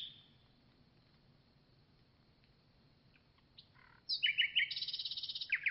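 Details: Common nightingale singing after a long quiet pause with a few faint notes, then a sudden loud burst of high whistles and a fast, buzzy trill that ends on a sharp note.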